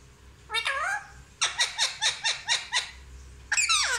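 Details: Talking Indian ringneck parrot said to speak "mummy papa", uttering one bending nasal note, then a rapid string of seven harsh, even syllables, and a final loud squawk indoors.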